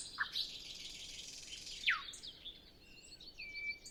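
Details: Sparse nightingale phrases in still early-morning air before sunrise: a couple of isolated sharp notes, a steep descending swoop, then a soft twittering and a level thin whistle against a faint hiss.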